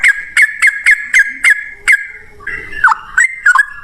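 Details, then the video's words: Yellow-vented Bulbul song, 'ropel ngalas' style, played to make other birds answer; evenly spaced bright chirps at first, then a slurred dipping note and a few quick warbled phrases. "suara trucukan gacor ROPEL NGALAS, pancingan trucukan agar bunyi jadikan burung trucuk nyaut gacor"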